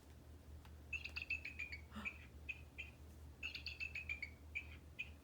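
A Bald Eagle gives two bursts of thin, high, chittering notes that tumble slightly downward, each followed by single piping notes. A low hum runs underneath.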